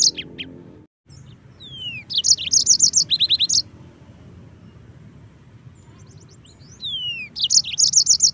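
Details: Yellow-fronted canary (mozambik) singing a tutor recording meant for teaching other birds: two bursts of fast, high, chirpy trilled phrases with short descending whistles, separated by a quiet pause.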